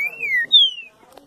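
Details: Colour-mutation green-winged saltator, also called pixarro or estêvão, giving two loud clear whistles: the first holds level then dips, the second starts higher and slides steadily downward, followed by a faint click in a quiet room.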